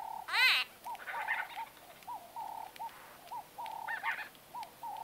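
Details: Close-up conversation of white-fronted bee-eaters: a loud rising squeal opens, followed by evenly spaced soft arched notes and occasional short bursts of higher chatter.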